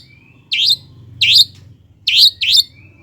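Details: Long-tailed shrike used as a lure to stir lazy birds into singing: four loud, buzzy, scratchy notes given as two pairs, over a steady low hum.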